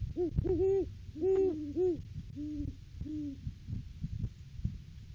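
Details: Off-season Great horned owl pair duetting at the nest tree, December 3, 2022: several low hoots in quick groups early, then two single hoots, with soft thumps and background noise trailing off.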